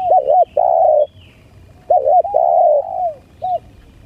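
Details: Lure recording of spotted dove: arched cooing notes, a quick doubled coo followed by a long sustained falling note, repeated once, then a single short coo over quiet low background noise.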